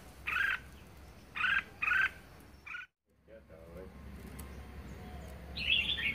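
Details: Kept red-whiskered bulbul, described as very vigorous and singing in the fast 'ché' style: three short loud warbled phrases, then a pause and a higher phrase at the end, over low background hum.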